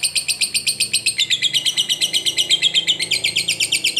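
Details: Long 'ngekek panjang' chatter from a fighter lovebird, meant to stir a reluctant lovebird to sing: a fast, even run of shrill, scratchy notes, roughly four a second, held continuously and slightly rising in pitch midway.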